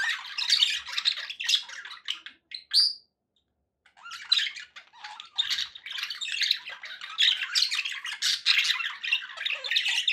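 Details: Pet budgies keep up a raspy, chirping chatter, interrupted by a clear rising whistle and then about a second of silence before the busy warbling resumes.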